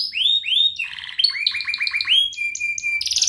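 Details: Canary training song, used as a lure for young canaries learning to sing, in ngerik, cuit cuit and ngerol styles: upward-sweeping whistles, then a buzzy rattle, a run of repeated rising chirps, and a bright high trill at the end.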